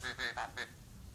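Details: Talking Javan pied starling from Java, trained to speak Javanese, uttering four quick nasal, voice-like syllables in a clipped burst, after which faint indoor background noise remains.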